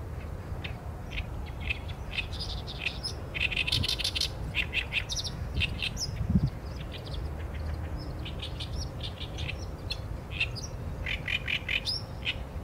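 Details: Extended song of the Oriental reed warbler, Acrocephalus orientalis, recorded by a Sony A7M3: varied harsh croaks, rattles and grating buzzes delivered in fast irregular bursts, with a steady low background drone throughout.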